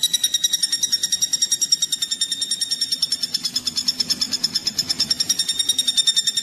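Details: Sustained rapid calling of a common flameback, known locally as pelatuk bawang and used to tutor kacer songbirds; crisp nasal notes repeat about seven per second, pitch gently rising and falling across the run.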